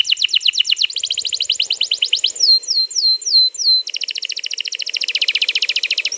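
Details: Canary singing a long rolling song, dated 21 April 2022 and played to coax another canary into song: fast trills, then a run of slower clear downward-slurred whistles, then a rapid buzzy roll.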